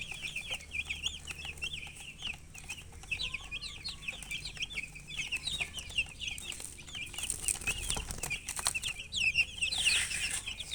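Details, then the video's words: Young chickens peeping from thirst for water: rapid high chirps, about two a second, overlapping in a lively chorus that grows louder toward the end. "Murgi chicks Chirping sounds with thirst for drink water"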